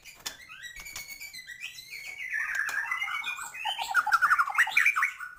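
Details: Full, lively song of a white-rumped shama meant to rouse other birds: sliding whistles building into a fast, bubbling run of rising notes and trills, with clicks and faint knocking in the background.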